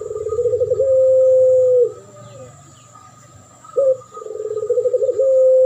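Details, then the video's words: Doves calling as a duet lure: throbbing rolled coo stretching into a smooth level tone, a pause with faint murmur, a short accented note, then the rolling coo again; continuous faint high-pitched hum. "Duet masteran pancingan burung puter pelung.model suara juara dan Derkuku"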